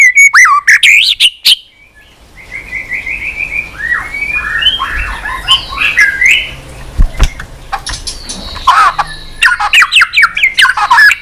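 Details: White-rumped shama singing continuously in many strange voices after being urged on, tail flicking; bright whistles open, a softer chattering middle of short varied notes, then a dense burst of loud sweeping phrases.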